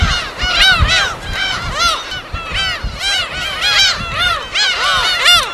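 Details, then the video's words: Gulls at a wild breeding colony on an uninhabited island in Korea's West Sea, many birds calling at once: dense overlapping arched, nasal, yelping calls, some rising and falling, in a continuous chorus. "갈매기소리 무인도 자연의소리 파도소리와 갈매기소리"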